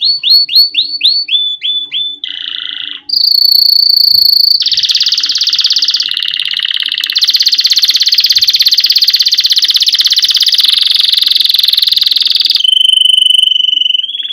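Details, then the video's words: Canary song to teach young birds: opens with repeated swooping whistled notes, then a long, loud, very rapid buzzing roll, finishing on a plain steady whistle. "Canary Singing - Most Spectacular HD Video Training For Chicks"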